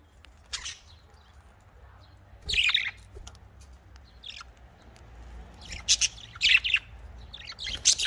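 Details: Caged budgerigars kept for breeding give scattered harsh chirps and short squawk bursts between quiet gaps, over a faint low hum.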